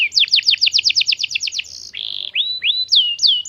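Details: Canary lure song to draw replies from young canaries: a fast series of repeated falling chirps, then a steady buzzy note, rising swoops and loud descending whistles.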